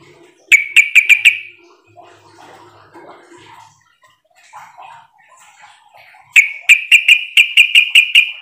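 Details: Lure call of a sooty-headed bulbul, meant to draw replies from other bulbuls. A quick burst of five sharp, ringing chuck notes, then quieter background rustle, then a longer rapid series of about nine bright repeated notes.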